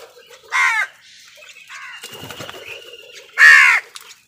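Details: Crows competing with wild birds over food give two loud, rasping caws about three seconds apart, with faint softer calls and rustling in the gap between them.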